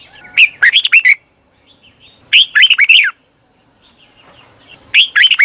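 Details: Decoy Red-whiskered bulbul singing to lure wild birds, several short rich warbled phrases of looping, rising and falling notes, each under a second long, separated by brief pauses.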